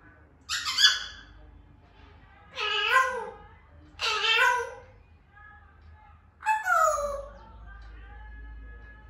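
A grey parrot gives four harsh, nasal squawks, about two seconds apart, each a rich burst of noisy harmonics, the last sliding downward; a faint indoor hum underneath.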